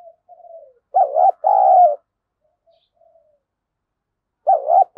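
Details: Spotted dove calling in the 'thúc gù' style for luring wild doves: quiet falling coo notes, then a strong two-part hollow coo, with another loud coo phrase starting near the end.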